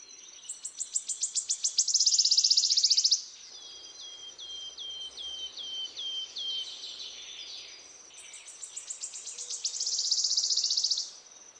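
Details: Small bird singing, used for training songbirds. Bursts of rapid, high, buzzy trilled pulses alternate with a middle run of clear descending whistled notes, each repeated about once per half second.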